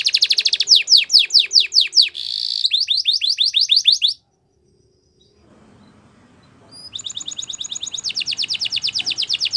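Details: Singing Belgian canary delivering rapid descending swooped notes and high buzzy trills for about four seconds, a short pause with faint background noise, then more fast repeated trilled phrases.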